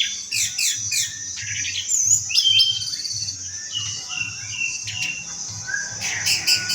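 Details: Orange-headed thrush song: a rapid series of high chirps and trilled notes mixed with short, lower whistled phrases, delivered continuously, over a faint pulsing low hum and a constant thin high tone.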